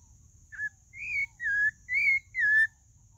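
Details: Pale-breasted thrush, known locally as sabiá-do-barranco, singing a phrase of five clear whistled notes, each slurred up or down, delivered about twice per second over a faint low hum.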